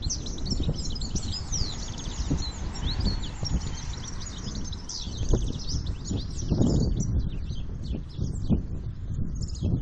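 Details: Wild-type field goldfinch (campero) male in strong breeding condition and without a mate: continuous high, tinkling, twittering song of rapid varied notes, over heavy low rumbling background noise.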